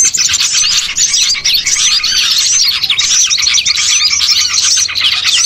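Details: Crowded chorus of small birds, including bulbuls, played as a lure so birds gather for catching; rapid high chirps, short twitters and curved whistles pour out continuously from many overlapping birds.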